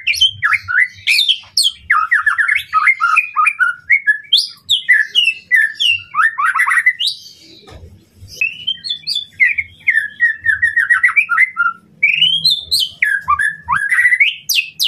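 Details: White-rumped shama, recorded to stir a rival's aggression, delivers a long, rich song of rapid whistles, chattering trills and sharp high notes, with a short pause midway and faint rustling beneath.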